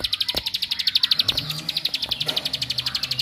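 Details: Bar-winged prinia song aimed at provoking other males: an unbroken, rapid series of sharp, high clicking notes, about ten per second, bright and even in rhythm.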